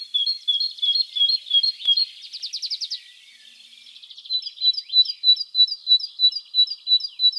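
A Great Tit sings bright, high two-note phrases, about three per second, broken by a brief buzzy rattle midway. No other sounds intrude.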